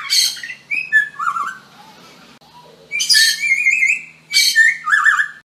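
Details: Parrot mimicking everyday sounds it hears around it, giving loud bursts of chirps, whistled notes and squawky phrases separated by a quieter pause, with a faint low hum behind.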